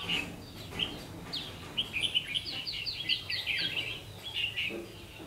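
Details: Red-whiskered bulbul acting as a lure at a double trap, recorded late afternoon on 3 September 2016: quick series of sharp, bouncing whistled notes, several per second.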